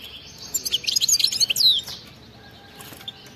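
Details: European goldfinch with 'bitbita' wild-type song: a brisk phrase of rapid high twitters and slurred chirps lasting over a second, followed by near silence with faint single notes.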